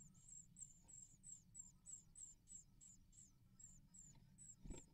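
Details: Great tit (Parus major) calls: a rapid series of very high, thin, squeaky notes, about three a second, over low traffic rumble, during nesting as both parents feed nestlings.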